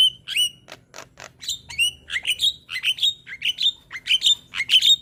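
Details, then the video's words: Young Javan myna song meant as a model for other mynas to copy: a lively series of short whistled notes near the upper range, some sharply rising or dropping, repeated roughly every half second, with a few noisy buzzy bursts early on. "Masteran Burung Jalak Kebo Muda Gacor Manggut - Manggut Jalak Kebo Lain Pasti Cepat Niru"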